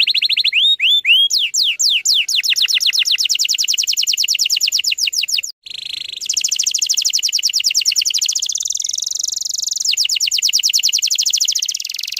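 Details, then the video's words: A canary sings a dense 'tembakan rapat' lure song for young untrained canaries. Whistled slurs open into a long, rapid trill of repeated notes. After a brief silence, a very fast, even buzzing roll continues to the end. "PANCINGAN KENARI BAHAN TEMBAKAN RAPAT"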